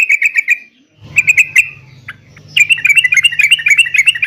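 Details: Yellow-vented bulbul in full song, played to provoke caged birds into answering: buzzy chattering notes, a pause, then a fast, bubbly run of repeated notes over a steady low hum.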